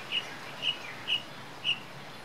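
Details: A golden-breasted starling (Lamprotornis regius) feeding gives four short, high chirps about half a second apart over a soft steady background hiss.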